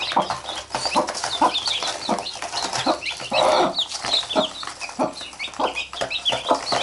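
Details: Mother hen with chicks that bite her while she pecks at them: steady low clucking, a brief louder burst in the middle, and continuous high chick peeps.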